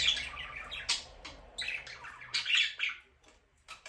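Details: Chirping budgerigar: a running string of harsh, buzzy twitters and squeaky notes with a faint low hum behind, tapering off at the end.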